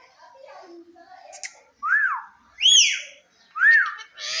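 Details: A pet Indian ringneck (rose-ringed parakeet) in a talking clip: soft murmured chatter, then three loud, arched, screechy calls, each rising and falling, the middle one highest and shrillest.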